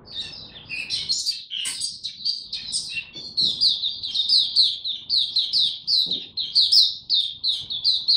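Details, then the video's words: A young caged white-eye, its song still maturing, recorded 9 February 2022: mixed chattering notes at first, then a settled run of shrill, rapid, down-slurred chirps that keeps going without pause. "Mata Puteh"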